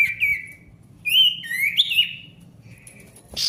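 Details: Ashy tailorbird in lively full song, played to get silent tailorbirds singing again: a sharp whistled note, then a short phrase of rising and falling slurred whistles after a pause, with a faint low hum behind.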